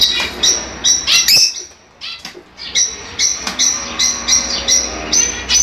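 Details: Fischer's lovebirds chattering, played to encourage pairing and mating; shrill high chirps in quick irregular bursts, several birds overlapping, with short pauses between volleys.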